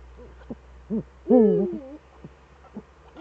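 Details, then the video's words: Eurasian eagle-owl pair back together in the Eifel on an evening in March 2013: short low notes, then a loud wavering harmonic call that drops into a second, lower falling note. Light tapping sounds follow. "Uhu Eifel 2013-03-11 18:47 beide Uhus wieder da.."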